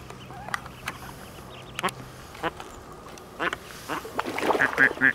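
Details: A female Mallard with about twelve just-hatched ducklings, nervously leading them from a feeding spot to hide in reeds from predators, gives raspy quacks in short bursts every second or so; high, thin duckling peeps join near the end over a faint low hum.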